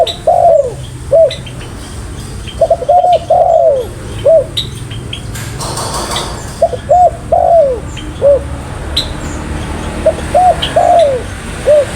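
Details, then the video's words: A very vocal spotted dove coos repeatedly: low, mellow, bowed notes in clustered phrases of two to three, steady through the recording, with faint higher chirps from other small birds and a brief burst of broadband noise midway. "Burung Tekukur Paling Gacor"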